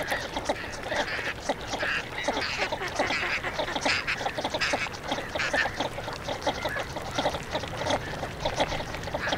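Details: Northern shoveler among a busy, continuous stream of rough, nasal quacks and gabbling notes, overlapping without pause, with a broad noisy wash of other waterfowl calls.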